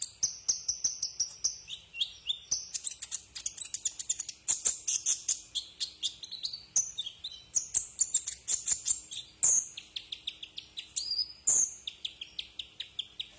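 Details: Tutor recording of a Brown-throated sunbird (kolibri ninja) for cage-bird training: long, fast chattering stream of high, thin twitters and short slurred whistles, sometimes dense trills, with a few louder emphatic notes toward the end.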